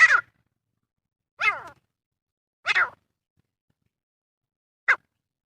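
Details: Excited male grey francolin, used as a hunting call, gives four loud, harsh, falling notes about a second apart, with quiet gaps between.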